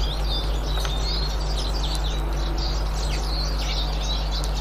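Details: Eurasian siskins, 18 March 2024, in a dense, continuous high twittering chorus of rapid chirps and short slurred whistles, over a loud steady low hum.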